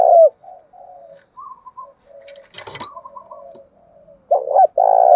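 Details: Spotted dove calling coos used to attract rival doves; soft low murmuring coos, a brief clatter midway, then a loud doubled coo near the end.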